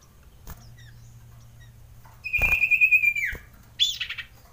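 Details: Male common iora, excited during mating season, lure recording: one sustained whistled note with a rapid trilling flutter, about a second long, followed by a brief buzzy squeak.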